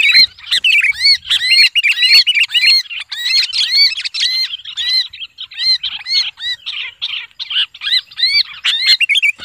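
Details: Sooty-headed bulbul (Pycnonotus aurigaster) lure recording, described as a screaming bulbul or one squeezed while held: a busy run of bubbly, chattering notes rising and falling, about two per second, with several birds seeming to call at once.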